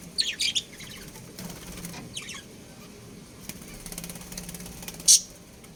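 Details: Chirping from a budgerigar breeding pair: a fast run of high, twittery chirps at the start, a softer chirp cluster near two seconds and a loud sharp chirp late, with clicks and low hum.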